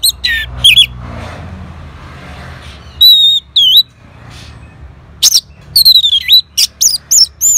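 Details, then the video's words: Orange-headed thrush responding straight away to a played lure: loud, clipped phrases of looping whistles and sharp up-and-down slurs in three separate bursts, separated by low hiss and faint background noise. "Sangarnya Respon ANIS MERAH Langsung Nyaut Dengar Pancingan Suara Burung Ini."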